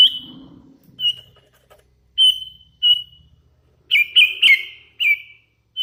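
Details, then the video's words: Hand-reared young sooty-headed bulbul sings actively: a run of short level whistles, then a quicker burst of three whistled notes with downward twists, over a faint low murmur. "Suara ASLI kutilang LOLOHAN GACOR"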